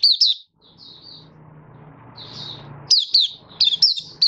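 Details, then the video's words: Malaysian Oriental white-eye kept caged, Kitaro line, in minor moult, 24 August 2023: scattered high chirps and a soft warble over faint low background hum, ending with quick bright chirp bursts. "Malaysian Mata Puteh Buka Sing"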